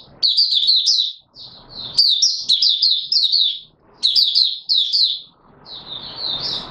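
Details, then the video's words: Kept white-eye of the type locally called Mata Puteh Raja, opening into song while not yet in full condition: bright, high chirping phrases in quick bursts of several notes, with short quiet gaps between bursts. "Mata Puteh Raja V1 buka sing not full condition yet"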